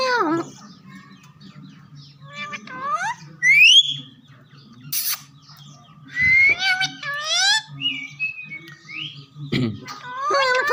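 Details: Green parrots repeat "Mian Mitho Chori Khao gy" in scattered bursts: rising whistles, squeaky speech-like syllables and a brief squawk, separated by quiet gaps with a steady low hum beneath.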